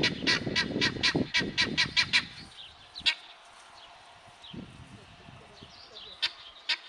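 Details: Helmeted guineafowl calling: a quick run of about nine harsh, broadband, evenly spaced notes over the first two seconds, then a couple of scattered fainter notes and a low thud in a quiet background.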